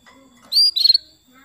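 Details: Female canary calling to a male, used as a lure to get male canaries singing hard: one short bright chirp, a rising note then a quick stuttered burst, over a quiet background.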